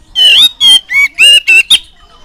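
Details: Oriental magpie-robin (kacer) song used as a lure and tutor so young birds start singing quickly: six loud, rich whistled notes, some sliding and some steady, in rapid succession, then a thin fading tone.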